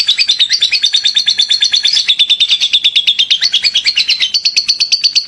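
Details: Lovebird in full, lively ngekek song: a fast, continuous run of sharp high chattering notes, about three per second, rolling on without pause for over five seconds.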